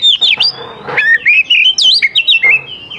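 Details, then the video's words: Oriental magpie-robin in full song, played to lure young wild forest magpie-robins into answering; varied sliding whistles with quick harsh, buzzy notes mixed in, rising and falling phrases that follow each other rapidly with no pause. "KACER GACOR SANGAT AMPUH UNTUK MEMANCING KACER MUDA HUTAN BIAR IKUT NYAUT DAN LANGSUNG GACOR"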